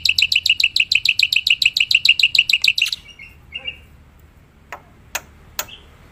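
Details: Black-winged myna in the wild: about three seconds of rapid, even chattering chips, followed by a short buzzy note and a few widely spaced clicks.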